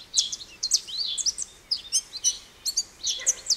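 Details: American goldfinch giving a loose series of thin, high, squeaky twittering notes spaced about a third of a second apart, over quiet background noise.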